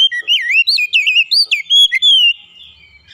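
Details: Oriental magpie-robin (kacer) training song with calling tones: a rapid run of loud, looping whistles that swing up and down, nearly continuous for two seconds, then fading to quiet.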